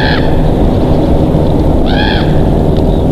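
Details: Bald eagles at a nest in Big Bear, picked up by a live nest camera on 22 July 2023 around 21:27; two short, high, chittering squeals, one at the start and one midway, over a heavy, constant low rumble.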